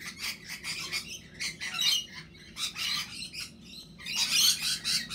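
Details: A lorikeet, perhaps missing its babies, gives harsh, screechy squawks in rapid bursts, high-pitched and grating, with one louder chattering spell near the end.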